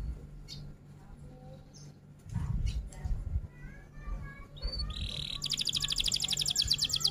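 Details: F1 canary, rol tembak song: mostly quiet with scattered soft chirps and low knocks for several seconds, then a sudden loud, very fast high trill of repeated notes at the end.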